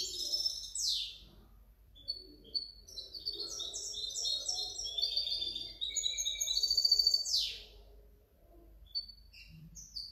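A goldfinch hybrid sings a fast, tinkling twitter of high liquid notes and trills, mixed with a few buzzy downward sweeps, over a faint low hum.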